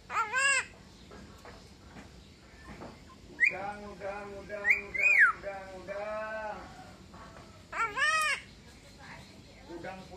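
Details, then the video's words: A pet Javan myna about two years old, raised from young and able to imitate several sounds, gives loud, nasal, bleat-like calls and sharp whistles in scattered bursts, some sounding like mimicked noises; a person speaks faintly nearby. "Suara Burung Jalak Kebo"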